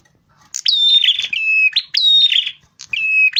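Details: A rufous-fronted prinia singing for use as a bird lure. Shrill rising whistles settle into steady high tones, alternating with lower whistled notes, in three closely spaced phrases.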